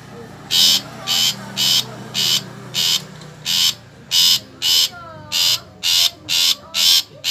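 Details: Long-tailed shrike giving harsh, rasping broadband bursts, each about a third of a second long, repeated roughly twice per second in a steady series, over a faint low hum and a few soft whistles behind.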